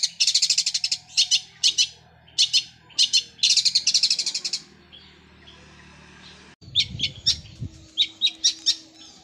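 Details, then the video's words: Caged long-tailed shrike singing in the 'gereja Kunti' style, its fast rolling delivery likened to a sewing machine: bursts of rapid high chattering notes separated by short pauses, then a quieter stretch with faint low background sounds. "Cendet suara gereja Kunti tembakannya seperti suara mesin jahit roll speed fighter"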